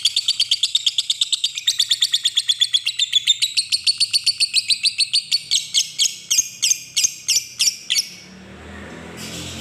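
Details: Lovebird long ngekek trill, used as a lure to call a rival: a fast rattling series of high buzzy pulses that slows into separate harsh notes before stopping near eight seconds.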